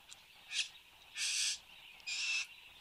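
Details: A male Satin bowerbird at his bower in Australia gives three harsh, buzzy hisses, one short burst then two longer whirring ones, each under half a second, over a quiet background; 10 January 2015, 8:02 am.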